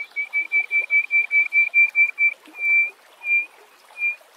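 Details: Greater hoopoe-lark singing in nature: a quick series of about a dozen clear, pure whistled notes on one pitch, then slowing into three longer drawn-out whistles spaced about half a second apart, over faint background hiss.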